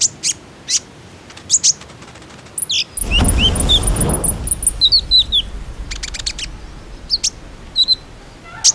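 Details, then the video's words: Common iora lure sound meant to get caged ioras singing: scattered high ticking chirps, then rapid thin whistles and downslurred notes over a loud rushing noise burst, followed by more clipped chirps. "KONIN IJOAN ANDA PASTI IKUTAN BUNYI, PANCINGAN TERCEPAT JADIKAN KONIN BAHAN RAJIN BUNYI"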